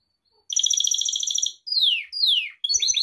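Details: Gloster canary song meant for training pet canaries: a rapid buzzy trill of repeated notes, then two long descending whistled slurs and a short burst of chirps.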